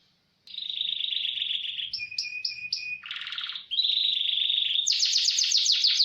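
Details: Training song of a lively canary: after a brief pause a steady trill, repeated sharp chips over a low whistle, a low buzzy rattle, another trill, then a high rapid roll.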